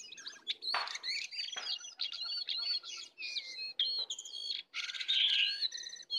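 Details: Heated duel between a wild and a caged sooty-headed bulbul, full filler song, with a busy stream of high whistled slurs and chirps, a few harsh rasping bursts, and a loud ringing phrase near the end.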